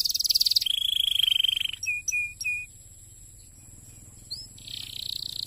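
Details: Canary song meant to stimulate other canaries: a high buzzy trill, then a lower rapid rolling trill, a few sharp clipped notes, a pause, and another fast high trill at the end.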